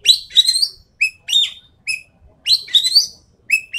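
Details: Lure recording of the endemic Sumatran treepie: quick series of harsh, buzzy, rising bursts mixed with short clear whistles, delivered in rapid succession with little pause, against a quiet background.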